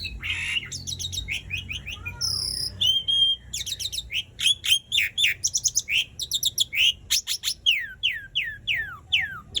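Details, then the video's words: Asian pied starling in loud, varied song used to prompt silent starlings into singing: harsh chattering notes, clear whistles and rapid descending buzzy slurs repeated in quick succession. "Jalak Suren Gacor Dor Ngerol Panjang Ampuh Buat Pancingan Jalak Macet Agar Bunyi"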